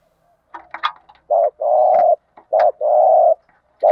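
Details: Spotted dove, field type, giving thúc gù coos meant to provoke newly caught birds: some brief scratchy clicks, then a short coo and a longer coo, twice, low and steady.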